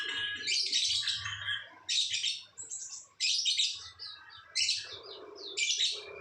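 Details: Ngekek-style lovebird song, or ngecor, in bursts: about six loud, harsh, high chattering phrases, each under a second, separated by short gaps.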